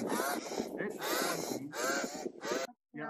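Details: Pied crow in Kenya, locally called 'guru', giving four loud, harsh, raspy caws in quick succession, each about half a second long, with a man talking over the calls.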